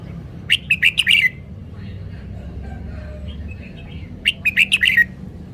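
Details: Red-whiskered bulbul showing its song phrasing: two matching bursts of rapid, bubbly, whistled notes, each under a second long, about three seconds apart.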